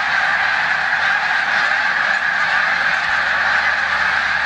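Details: Snow geese resting in a corn field on Olmstead Road, Savannah, New York, on 14 March 2020, days before migrating to the Canadian tundra, alongside resident Canada geese; a dense, unbroken chorus of overlapping nasal honks.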